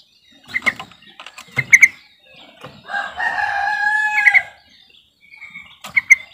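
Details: Sooty-headed bulbul lure call meant to prompt silent birds to start singing: bubbly, clipped notes in quick clusters, then a longer warbling, mellow phrase, ending with another bright chirping burst.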